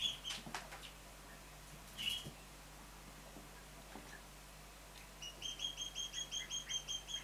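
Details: Three-month-old juvenile Mountain quail, a pair, utter scattered soft high chirps, then after a pause a steady run of about ten thin, high piping notes in quick succession, with faint rustling.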